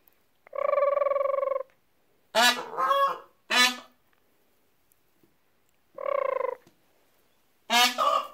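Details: Peafowl chicks, spooked by nothing, give repeated alarm honks. Steady, buzzy, even-pitched honks lasting about a second alternate with harsher, rasping double honks over eight seconds. A person imitated alarm noises alongside them, then spoke soothingly.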